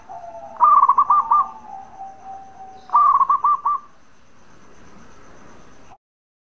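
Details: Bekur song of a local zebra dove singing well, used to draw answers from other doves: two loud bursts of rapid staccato coos, each followed by a long, level, soft trailing coo, then quiet.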